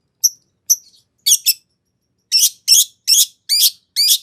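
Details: Long-tailed shrike song meant to make another shrike answer: two thin high notes, a harsh double note, then five rasping notes with upward-sweeping starts, evenly spaced.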